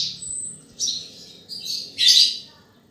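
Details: Australasian bushlark (Mirafra javanica), a field bird prized for its voice, giving a thin high whistle followed by a few separate buzzy phrases, the last one loudest and harshest.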